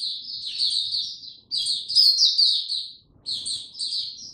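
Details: White-eye opening into song, recorded 29 April 2022 with no health supplements given: three bursts of high, rapid twittering broken by short pauses, with faint low rumble beneath.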